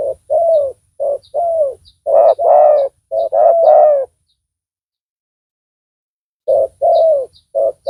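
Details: Spotted dove decoy luring a rival; a run of short and long low coos, some slurred, in two bursts separated by a silent gap, with faint low rumbling and high ticks.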